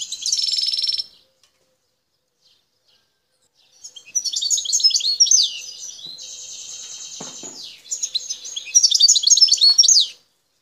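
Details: A wild Algerian goldfinch from Bouteldja, El Tarf, sings a short buzzy burst, falls silent for a few seconds, then resumes with jumbled twitters, a long even rattling trill and more lively chatter.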